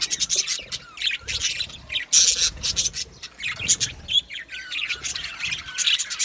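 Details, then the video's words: Budgerigar colony in an aviary, a flock singing and chirping together: rapid, overlapping scratchy chirps and squawks rising and falling in loudness, with a loud burst around two seconds. "Australian Budgies Singing and chirping sounds"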